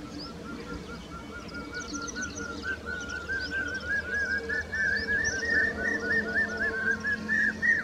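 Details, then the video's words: Common hawk-cuckoo (brainfever bird) giving a fast series of shrill, repeated notes that climb steadily in pitch, with other birds chirping higher up and a low background hum. "Common hawk Cuckoo call"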